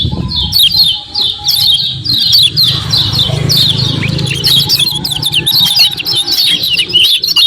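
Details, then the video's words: Common iora 'ciak ciak' lure sound for provoking another iora: rapid high chirps and twittering repeated throughout, over a continuous low hum and a thin background whistle. "KECIAL KUNING GACOR PERANSANG BUNYI CEPAT DIRESPON"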